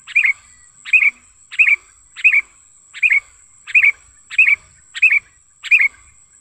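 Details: Wild sooty-headed bulbul recorded naturally for luring and tutoring other bulbuls: evenly paced bright chirps, about nine in six seconds, each a short twisting note, with a constant thin high whine in the background.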